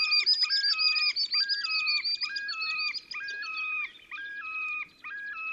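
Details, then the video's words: Terek sandpiper giving its display song at Oka Nature Reserve, Russia, near the Pra River, on 30 April 2019: loud, rhythmic phrases of stepped, two-pitched whistles repeated nearly twice a second, over a higher rapid chatter. "Мородунка Xenus cinereus, токовые крики / Terek sandpiper song"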